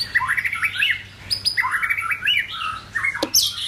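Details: White-rumped shama singing in form building, a varied sequence of warbled and whistled phrases with rising and falling slurs, a sharp click near the end, over a faint low hum.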